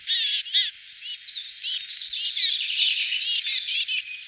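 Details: Willow tit of the nominate subspecies Parus montanus montanus calling: a busy run of short, harsh, buzzy notes with layered tones and quick chirps, packed closely together in uneven bursts, with no other sounds audible.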